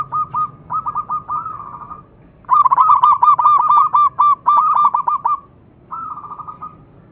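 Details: Local zebra dove singing: bursts of rapid, stuttering cooing notes, each hooked and ringing, strung in quick rows of five to ten with short pauses between phrases; the voice stands clear over a faint low hum.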